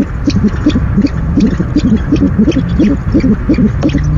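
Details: Owl at its nest at night on 17 February 2015, first food delivery of the evening: clustered low, short notes, often in pairs, repeated rapidly with faint higher clicks over a steady hum.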